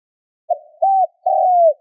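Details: Spotted dove call used as a lure for wild birds: three low hollow coos, first short and soft, second level and clipped, third longest and gently falling at the end, on a clean, quiet background.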